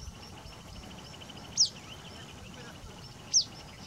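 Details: An immature male White-bellied Minivet in India, preening on its perch in a group of six, gives two thin, high, sharply falling notes about two seconds apart over a steady hiss and faint background chirping.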